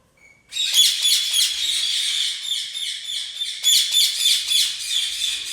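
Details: Lutino orange Red-rumped parrot kept as a domestic bird: a dense, continuous run of quick, shrill, warbling chirps, several per second, rising in intensity near the middle and the end, preceded by a brief thin whistle.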